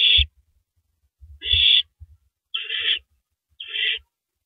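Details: An owl finally downing a big rabbit at 3:33 AM, April 9, 2012, gives four rough hisses, with the later two sounding grainier, alongside low knocking sounds.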